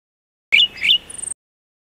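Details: A Golden-headed Cisticola (Cisticola exilis volitans) gives a brief, high, buzzy call lasting under a second, ending in a thin, very high whistle.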